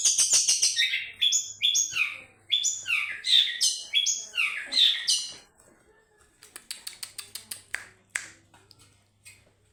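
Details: Long-tailed shrike in a happy mood, opening with loud, buzzy descending phrases repeated for about five seconds, then quieter clicking ticks and short chips after a pause, with a low steady hum.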